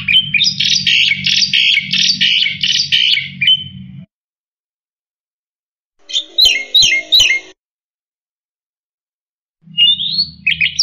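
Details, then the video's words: Black-winged myna in vigorous full song, used as a tutor recording for other songbirds: a four-second run of rapid harsh chattering notes, then a short burst of buzzy repeated phrases and a rising whistle, split by abrupt silences, over a low steady hum. "Suara Burung Jalak Putih Gacor Full Isian Untuk Masteran"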